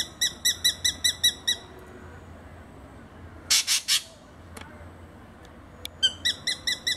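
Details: Spangled drongo mimicking a number of other birds' calls, giving quick runs of bright, ringing notes, about five a second, broken by a burst of harsh rasping chatter and a few sharp clicks.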